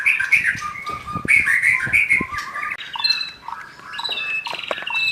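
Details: Loud song of a young wild forest white-rumped shama: rich, shifting whistles and warbled notes in quick succession, mixing lower fluted tones with thin high chips, with brief pauses between phrases.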